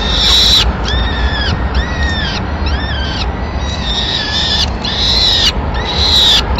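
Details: Peregrine falcon nest in Madrid, 25 April 2016: the female arrives with a pigeon and feeds the chicks while the male leaves. Harsh, arched, harmonic calls come in a steady series, roughly one to two per second, over constant low rumbling background noise.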